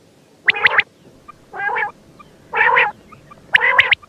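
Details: Quail, called batair in the local language: four rough, nasal, gargling bursts about one second apart, some ending in sharp high ticks.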